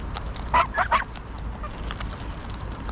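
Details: A quick run of three loud, harsh honks from greylag geese early on, then quieter background, recorded at Pearson Park, Hull, England, 22 August 2021, with a GoPro Hero9.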